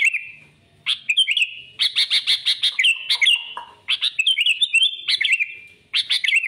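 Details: Sooty-headed bulbul in full, persistent song used to lure rival birds for trapping: loud, clipped chirps in rapid runs, some notes wavering up and down, separated by short gaps.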